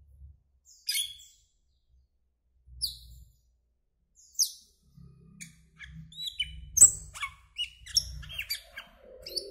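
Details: Asian glossy starling, a greenish black bird, giving sharp high whistled chips and short metallic notes, sparse at first then a busier run of clicks and squeaks, with soft low rumbles underneath.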